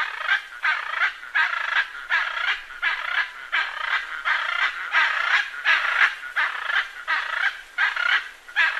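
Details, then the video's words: Macaw giving loud, grating squawks in pulsing bursts, about one and a half per second, each harsh note swelling and fading, with nothing else clearly heard. "Arara Cantando"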